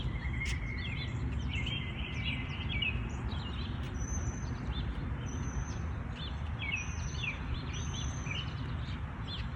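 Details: Morning birdsong in a natural setting: a brief chirpy burst, then a thin high whistle repeated about every second, with soft twitters under a constant low background hum.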